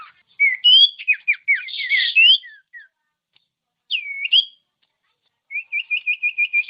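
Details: Common iora whistles played to stir lazy birds into song: a burst of varied chirps and slurred whistles, a single looping upward note, then a steady series of about eight quick repeated notes.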